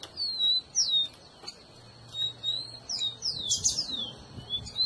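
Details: Rufous-collared sparrow song used to warm up a pet bird, quieter here: thin whistled slurs falling in pitch are spaced irregularly, with a faint steady tone and a low hum in the background.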